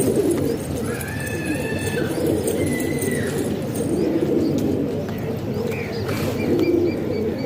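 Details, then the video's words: Pigeons kept indoors in Pakistan coo in a thick low chorus, while a small bird adds thin whistled chirps higher up. "Pigeon Sound"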